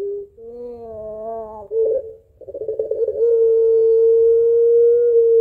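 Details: Puter pelung barbary dove calling its mate in crying, laughing style: wavering notes, a sharp burst, rapid stuttering laugh-like pulses, then a steady long held coo.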